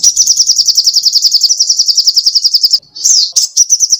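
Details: Sogoh ontong songbird in vigorous song, recorded as songbird tutor material: a steady rapid high trill for nearly three seconds, then a sweeping twittered phrase and renewed trilling.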